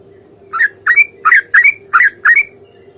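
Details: Fighting song of a sooty-headed bulbul, used to make other birds respond: six paired, bubbly two-part notes rising at the end, evenly spaced, with a faint steady hum underneath.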